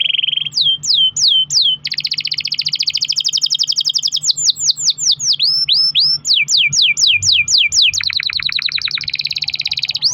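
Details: Long-rolling canary song meant to coax other canaries to sing: a flat trill, falling whistles, a long fast buzzy roll, more repeated downslurred whistles and another extended rapid trill, loud throughout.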